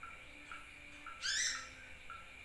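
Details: Lure recording of a sunbird meant to draw in birds, with short upslurred chirps spaced about half a second apart around one loud, rich, rising squeal in the middle.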